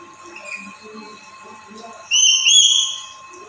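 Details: Black-capped lory, a caged bird active every day and used as a master bird for training and luring, gives a loud whistled call that rises and then levels off, lasting about one second. A quiet steady hum and faint voices come before it.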